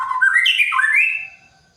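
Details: White-rumped shama, kept in the morning dew to make it sing freely, gives a short rich phrase of whistled notes sweeping up from low to high, then fading.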